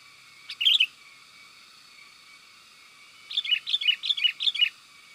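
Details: Sooty-headed bulbul, used as a lure to call wild bulbuls in the forest: a lone chirp followed after two seconds of quiet by a quick burst of six lilting, up-and-down notes.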